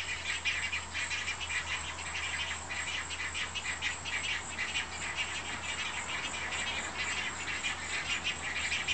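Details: Great Egret at a nest while a mother feeds large chicks: harsh, rapid, high-pitched chattering that runs on without a break, with a steady low hum underneath.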